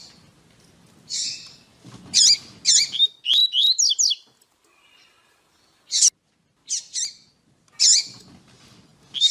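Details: A female double-collared seedeater (Sporophila caerulescens) gives high, thin chip notes in short bursts, with a quick run of sharp whistled twitters in the middle and brief pauses between groups; this female call is used to stimulate males to sing.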